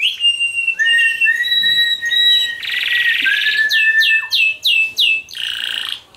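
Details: Canary song: loud, sustained whistled notes and long trills, a buzzy rattling section in the middle, then a run of rapid descending sweeps, all rich and continuous.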